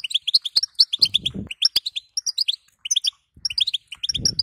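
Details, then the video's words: Female European goldfinch calling to encourage a male to sing: evenly spaced bright rising chirps, about four per second, with a short silence near the middle and low rustling sounds. "بتبته حسون لتهييج ذكر"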